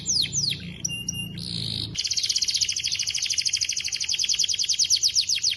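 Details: Canary in vigorous 'gacor' song, given as a clear master recording for training other canaries: a few sharp descending whistled notes and brief buzzy bursts, then a rapid, even, high trill lasting about three and a half seconds.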